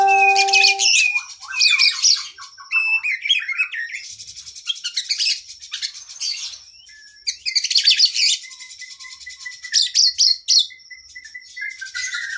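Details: Long oriental magpie-robin 'gacor' master song with extended 'isian': a brief steady tone, then alternating loud scratchy chatter bursts and sweet descending whistled notes, with repeated rising whistles near the end.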